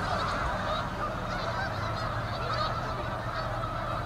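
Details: Canada geese in autumn, November, at South Utica Reservoir in Utica, New York: a dense, unbroken chorus of overlapping nasal honks from a large flock, steady throughout with low rumbling background.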